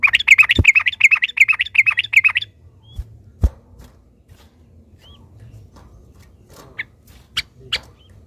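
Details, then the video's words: Agitated yellow-vented bulbul pouring out a fast, evenly repeated string of bubbly chattering notes for about two seconds. Near-silence follows, broken by a few faint sharp calls and clicks. "trucukan ropel panjang TARUNG PANCINGAN TRUCUKAN agar bunyi jadikan burung trucukan gacor EMOSI"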